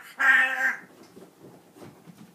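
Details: Pet parrot indoors in a home with dogs and a cat, one loud harmonic squawk-like vocal lasting about half a second, followed by quiet room noise.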